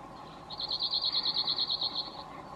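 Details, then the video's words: Male cirl bunting (Emberiza cirlus), Croatia: a quick, even, high-pitched rattle of about fourteen dry notes over nearly two seconds, with a constant low hum behind it. "Crnogrla Strnadica mužjak , Emberiza Cirlus , Cirl Buting male"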